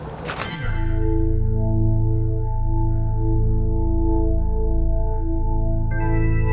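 Sustained electronic organ chord with a rich low drone, opening with a brief noisy burst and shifting to a brighter chord near the end, with no animal sounds.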